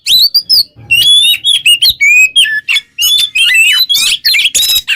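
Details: Kacer (Oriental magpie-robin) delivering ngobra teler song, gacor, for use as a master voice in songbird training: clear sweeping whistles and rapid chattering notes in quick phrases, with one brief pause near the start.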